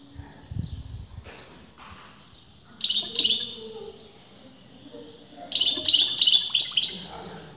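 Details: Caged European goldfinch of uncertain sex singing two separate bursts of fast, liquid twittering with pauses of quiet between them; faint low rustling at the start.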